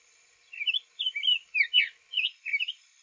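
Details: Newly arrived male Summer Tanager singing softly on a spring morning in north Florida; a close, clear string of about six rich, burry two-part phrases, each rising then falling, spaced about half a second apart.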